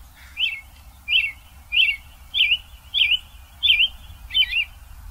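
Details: An American robin sings at dawn in the Vancouver area: a run of seven short, clear warbled phrases, each a quick rising-and-falling whistle, about every two-thirds of a second over a faint low hum.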